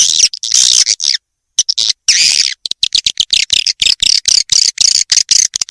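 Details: Edible-nest swiftlet lure call made for swiftlet farming, played to attract birds into bird houses: dense rapid bursts of sharp chirps and clicks high in pitch, repeated with short gaps.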